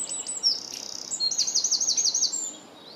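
A Eurasian wren sings a loud, high, rapid outpouring: quick trills and a fast rattling run of repeated notes, all very high-pitched, with no other sounds.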